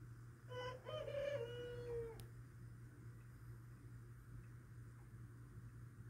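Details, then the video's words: Domestic rooster crowing once: a drawn-out, harmonically rich cock-a-doodle-doo lasting about a second and a half, ending with a falling note, over a steady low mechanical hum. "My Rooster Crowing"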